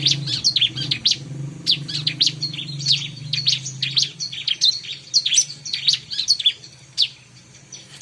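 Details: Bar-winged prinia song used for luring birds: lively, high, sharp chirps in irregular quick bursts across the whole stretch, with a low hum in the background during the first half.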